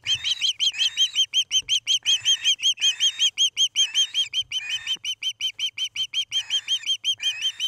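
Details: Osprey pair nesting at Charlo, Montana, recorded by a nest camera on an August evening: loud, continuous ringing whistled chirps, several per second, in bursts with overlapping voices, sharp and piercing, almost no background noise.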